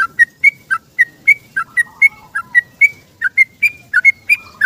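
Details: Morning song of a yellow-vented bulbul seeking a companion, a long ropel-style outpouring used as a lure. Quick chirpy phrases with a short dip and an upward flick, repeated in an unbroken run of about eighteen notes.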